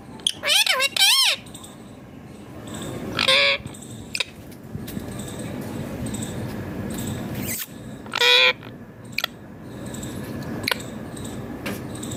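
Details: Pet parrot chatting with its owner in a room: a few loud, grating, wavering voiced bursts spaced several seconds apart, plus clicks and low background music and noise.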